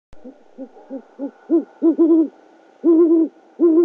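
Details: Great horned owls at a nest cam in Oklahoma City, about 9:30 PM on 12 February 2013, as the male delivers a rodent to his mate: deep, soft hoots, a run of short notes growing louder, then longer doubled hoots, about one each second.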